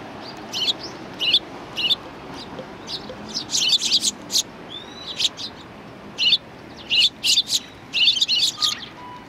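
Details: Sparrows welcoming visitors at a Tenmangu shrine, 7 January 2019: a lively flock chatter of sharp, high chirps in quick clusters of two to four, with brief pauses and a faint thin whistle near the end.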